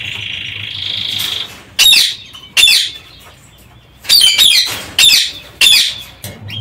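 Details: Parakeets kept in an aviary give a steady buzzing note, then a run of loud, harsh, rasping screeches, several in quick succession, each a short grating burst.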